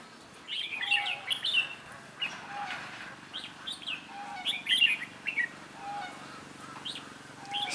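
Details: Decoy red-whiskered bulbul in training at a trap meant to catch wild birds, December 2016: lively warbled phrases and chirps, with soft lower whistled notes recurring, over a faint hum.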